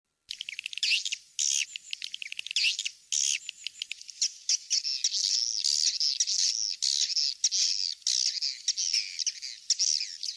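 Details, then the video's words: Swiftlet calls played to draw swiftlets into nest houses: dense, high, buzzy twittering with rapid chirps, then a long run of overlapping warbling trills, no other sounds. "Suara walet"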